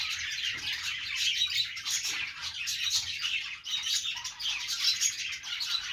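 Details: Many pet parakeets playing, their chatter a busy, unbroken mix of bright chirps and squawky twitters that swells and dips slightly over several seconds.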